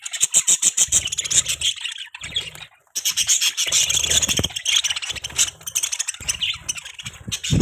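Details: Budgerigar chatter: continuous, harsh, scratchy twittering and squeaks that run almost without pause, broken by one short silence and a few low knocks.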